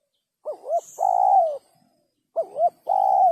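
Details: Spotted dove sấm chuông coo for exciting males, females and wild birds; two phrases, each a wavering double note followed by a long, slowly falling coo.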